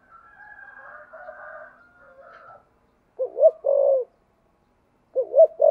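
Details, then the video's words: A murmur of softer background calls gives way to a spotted dove with "thổ sấm" voice cooing in "thúc gù" style: one full low phrase of two bouncing notes and a long coo, then a second phrase cut short. "cu gáy giọng thổ sấm/ cu gáy thúc gù cực đỉnh"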